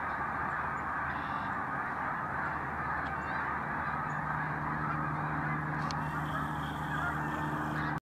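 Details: A flock of probably over 5000 snow geese, migrating north and resting in a residential development, gives a dense, continuous chorus of nasal, yelping honks, overlapping without pause, with a low hum behind.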